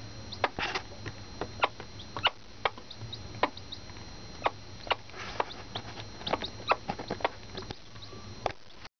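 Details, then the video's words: Silkie mother hen showing her surrogate Black Copper Marans chicks where food is, giving short repeated clucks at uneven intervals, mixed with thin high cheeping from the chicks. "Mama Hen with her babies"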